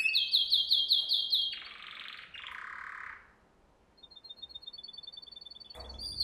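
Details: Training song for young canaries: a loud run of rhythmic chirped notes, then two low buzzy rolls, a pause, and a thin stream of rapid high pips, with a steady background hum.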